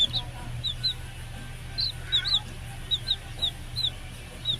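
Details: Rhode Island Red baby chicks, a heritage breed, trying to get along with each other: high, thin, falling peeps repeated irregularly, often in pairs, over a steady low hum.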